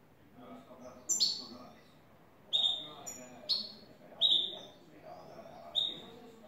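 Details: European goldfinch, a new bird, in clean song of the style called "el tres vueltas": five loud, high, whistled notes sliding downward, spaced about one to two seconds apart, over quiet background talking.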